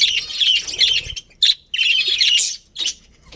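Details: Budgies in a breeding colony chirp in short busy bursts of bright, high warbled notes. The bursts are separated by brief pauses, with a clearer whistled note near the middle.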